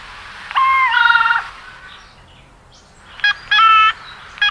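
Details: Common raven giving varied calls: a long ringing tonal note with a wavering middle, then a pause, a couple of short clicks and another drawn-out metallic note.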